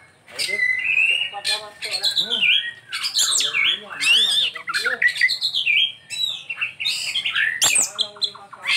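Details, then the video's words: Oriental magpie-robin in full song: varied loud whistles, slurred and arching notes, harsh squawks and mimicked phrases in quick succession, with a faint low hum behind. "Ini Die Burung Kacer Isian nya Super mewah"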